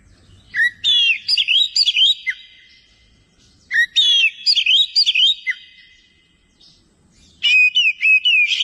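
Greater green leafbird giving three bursts of rich, varied whistled phrases with sharp chirps and slurred notes, each lasting about two seconds, separated by short pauses.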